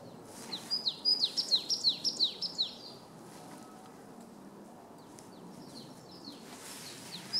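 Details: Singing marsh tit gives one fast series of about eight high, downward-slurred notes over two seconds. Fainter, more distant phrases follow later. Steady low background hiss underneath.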